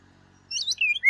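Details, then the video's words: An Indian Golden Oriole gives a brief burst of song: a few clear, slurred whistles that drop from high notes into a fuller, fluty phrase, over near silence. "ORIOLE SONG"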